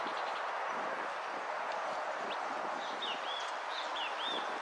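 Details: Competing European goldfinch, fifth place in a repique singing contest held 12 02 12, gives a brief burst of curved, slurred whistles near the end, set against a constant hiss of background noise.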